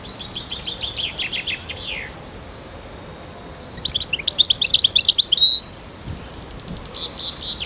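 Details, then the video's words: Khalwi-style song of a European goldfinch from Constantine, Algeria, 2012: a rattling series of high chirps sliding into a falling slur, a pause, then a dense liquid twitter closing on a sustained buzz, followed by further trilled notes. "Chant De Chardonneret khalwi 2012 غناء الحسون القسنطيني"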